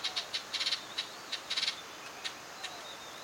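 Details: Seven-day-old light-vented (Chinese) bulbul chicks, recorded on 1 June 2009, give high, scratchy begging notes in quick bursts and clusters, about one a second, over a faint hiss with thin whistles.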